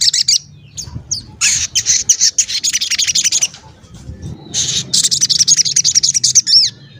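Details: Sogon lure recording for provoking other sogon to call and become agitated. Dense bouts of high, rapid chattering notes are broken by short pauses. A single sliding whistle comes near the end.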